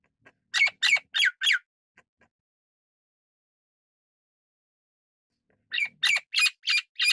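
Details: Golden-crested myna, Ampeliceps coronatus, producing two bursts of rasping squawks, four then five notes delivered rapidly, separated by roughly four seconds of quiet.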